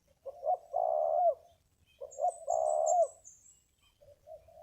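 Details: Spotted dove, wild, at a ground decoy site, gives two full burry coo phrases about two seconds apart, then a soft trailing coo. Thin high chirping from another bird is heard in the background.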